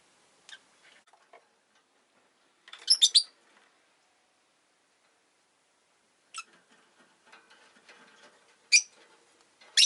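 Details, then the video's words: Two rosy-faced lovebirds kept as pets, huddled together at the entrance, give a rapid cluster of harsh high chirps, then quiet rustling, then further sharp single chirps. "Lovebird Chirping Sounds"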